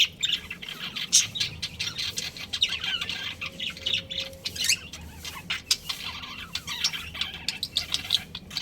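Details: Breeding pair of budgerigars in a home family group, with busy overlapping high chirps and warbles throughout, a faint low hum underneath.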